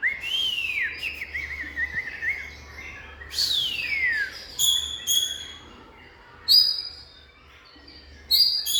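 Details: Oriental magpie-robin singing long, falling whistled slurs, then clipped high repeated notes, with a light background hum.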